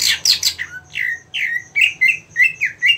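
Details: 5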